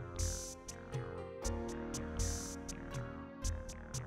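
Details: Electronic music with a pulsing synthesizer beat and rhythmic high bursts; nothing else is heard.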